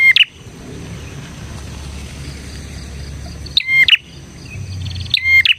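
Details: Bar-winged prinia singing, meant to train and lure other prinias: one sharp chirping phrase, a long pause filled by low rumble and a high hum, then two more loud ringing bursts.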